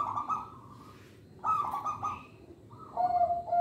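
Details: Local zebra dove with a special voice, played to lure young birds: bursts of rapid, slightly higher cooing notes separated by pauses, ending in a steady low tone.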